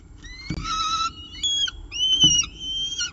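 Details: Peregrine falcon at the nest with a pigeon, Orange, 24 October 2018, 7:59 am; long rising whistled notes and a harmonic wail, separated by soft thumps.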